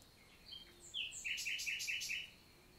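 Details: Morning song of a common nightingale, countryside forest in the Lot, southern France, 11 June 2023: quiet piping notes, then a loud, rhythmic series of about six rapid, throaty repeated notes, over a faint steady high background tone.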